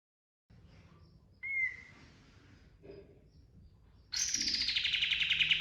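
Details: Pied triller song: a sharp short whistle, a soft low note, then a loud fast rattling trill beginning high and running on to the end.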